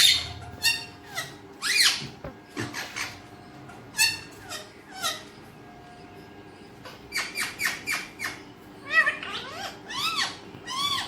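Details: Pet Alexandrine parakeet chattering in short, clipped, high squeaks and chirps, arriving in irregular clusters separated by quiet pauses, some notes sweeping sharply up and down.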